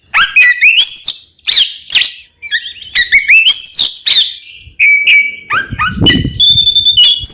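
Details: Oriental magpie-robin's ngeplong song used to make caged birds sing: energetic whistled phrases and rising slurs in bursts, with a low rustling thump near the end beneath a thin ringing whistle.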